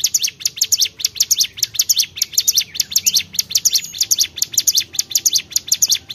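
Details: Bar-winged prinia singing actively, pouring out quick high-pitched chirping notes in tight bursts, steady and unbroken throughout.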